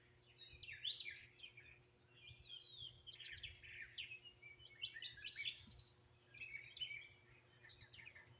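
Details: Dawn-style chorus of wild birds in Greenville, South Carolina, phone-recorded: continuous overlapping chirps, trills and whistled notes, several birds calling at once over steady faint hum.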